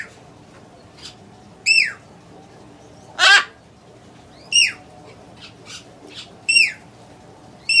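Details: A tame baby great green macaw gives a single harsh, raspy squawk among repeated short, bright, downslurred chirps from other birds close by.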